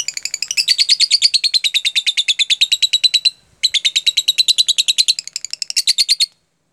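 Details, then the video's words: Lovebird singing in the 'jeda rapat' (tight-interval) style, used as a lure recording to prompt other lovebirds to learn it. Sharp, high chattering notes fire about eight per second in two long bursts, broken by a brief pause, then a short final flurry. "pancingan LOVEBIRD jeda rapat"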